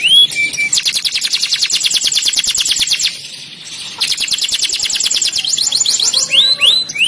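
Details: Canary song with long fast rolling trills of high repeated notes, a short break, another sustained trill, and a few clear whistled slurs at the start and end.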